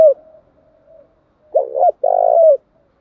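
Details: Spotted dove, from a male and female call used to stimulate cooing in training birds. A faint trailing murmur leads into one phrase of a double stuttered note and a long burred coo.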